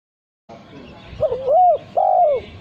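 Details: Male spotted dove, a kept bird whose melodious cooing is prized for contests, giving a short soft coo followed by a rising-falling drawn-out coo and a second long sliding coo, over low background hum.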